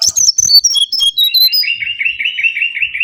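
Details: Mangrove whistler lure recording: quick series of clear whistled notes stepping down from very high to mid pitch, then a run of about six repeated, slightly buzzy mid-pitched notes.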